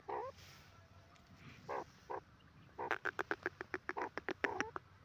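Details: In jungle, a grey francolin gives a few spaced nasal notes, then a fast run of short, evenly repeated sharp notes, about four per second, ending with two bent notes.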